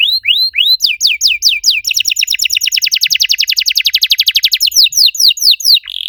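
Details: Master song from a canary, played to prompt silent canaries into singing: several looping rising whistles, then a steady run of quick repeated notes speeding into a rapid trill before slower slurred notes return.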